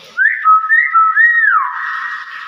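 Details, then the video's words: Common hill myna (beo), described as gacor, a lively, vocal bird, gives a loud clear whistled phrase: a rising slide, then steady pure tones with a wavering arc above, fading into a breathy hiss after about one and a half seconds. "BURUNG BEO GACOR"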